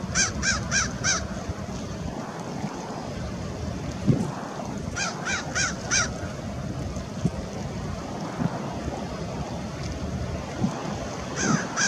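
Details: American oystercatchers at Fort Monroe, Virginia, on March 15, 2019: a quick run of four loud, piercing, harmonic whistled calls, then three more near the middle and one at the end, over steady surf and wind rumble.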